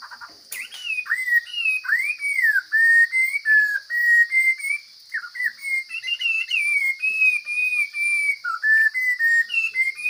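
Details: Wild forest Chinese hwamei in full song, delivering a long run of loud, varied whistled phrases, some rising, some sliding down, nearly two per second, over a constant thin high-pitched hum.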